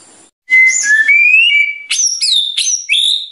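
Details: White-rumped shama; song; stirring up other birds with its rapid bursts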